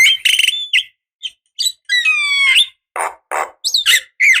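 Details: Javan myna decoy calls: sharp squeaky notes, a long nasal whining call rich in overtones, harsh hoarse bursts, and a few twisting whistles in quick succession.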